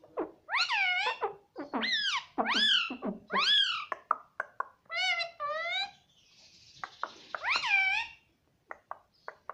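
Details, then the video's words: Parrot that talks, saying mummy: a rapid string of loud rising-falling syllables, a soft hissy stretch, one more call, then light clicks. "Mummy Papa Bolne Wala Tota || Talking Parrot"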